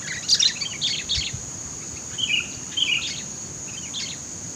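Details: Sooty-headed bulbul in the middle of bushland, used for luring birds: a series of sharp chirps and short slurred phrases at irregular intervals, accompanied by a constant high-pitched insect drone.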